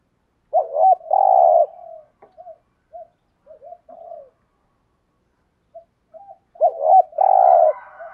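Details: Spotted dove lure cooing to draw wild doves into cooing back: low hollow coos in short groups, a long held note opening and closing the phrase, with soft quieter notes between.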